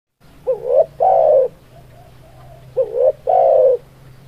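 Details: Spotted dove (tekukur) cooing: two low phrases, each a short wavering double note followed by a longer, steady, mellow coo, the second phrase about two seconds after the first, over a faint low hum.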